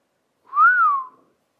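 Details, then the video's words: Cockatiel trained to whistle "If You're Happy and You Know It" gives a single clean whistled note that swells up and then glides smoothly down, lasting under a second against silence. "COCKATIEL SINGING IF YOU ARE HAPPY AND YOU KNOW IT WHISTLE Cockatiel Sound"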